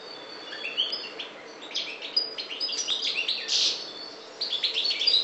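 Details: Softer, slightly distant European goldfinch of the parva subspecies, Maghreb, delivering a quick chattering twitter of short chirps and a buzzy burst in the middle.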